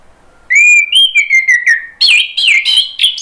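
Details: Clear whistled phrases from an orange-headed thrush, played as a lure and as therapy for stalled singers: steady pure tones stepping gently downward, then a livelier run of looping, warbled notes.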